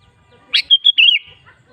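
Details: Sooty-headed bulbul giving a single brief song phrase used to prompt other bulbuls to sing: a sharp note followed by a short run of liquid, slurred whistles that dip at the close.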